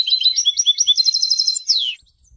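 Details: A European goldfinch sings for education. Jumbled high twittering quickens into a rapid, evenly spaced trill, then drops away in a descending slurred note.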